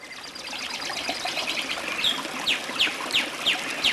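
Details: Birds singing in a forest: a busy chorus of high chirps and trills, joined by a repeated sharp downslurred note given about every third of a second near the end.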